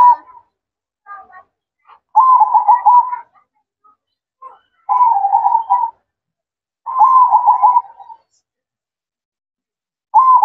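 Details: Night-time manggung singing of a zebra dove (perkutut): a few soft scattered notes, then three separate bursts of rapid, rolling trilled coos, each about a second long and spaced a few seconds apart.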